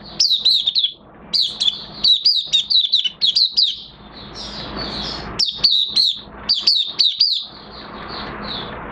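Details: Oriental white-eye kept in a cage during a light moult, opening into song with fast strings of thin, high chirps that slur downward, delivered in bursts separated by short quiet spells and soft background hiss.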